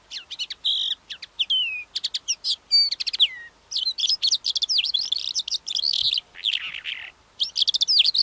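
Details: Calandra lark song, a bird that also sings while flying: rapid clicking ticks, downslurred whistles and dense twittering runs, with one lower rasping phrase midway, all delivered in quick succession over a faint hum.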